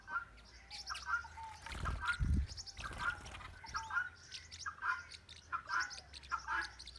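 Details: Blue-winged parrotlets in northern Bahia, Brazil, give short, sharp twittering chirps in quick bursts, several to the second, with a couple of low thuds partway through.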